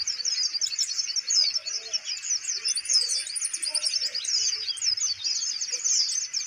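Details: Van Hasselt's sunbird held in its cage keeps up a lively, high, tinkling twitter of fast repeated notes, loud and nearly continuous throughout, showing its steady nerve.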